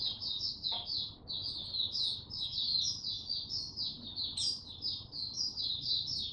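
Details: Maturing young male white-eye giving Dagger-style song, 9 February 2022: continuous high, chattering phrases of down-slurred chirps, heard over a steady background hiss.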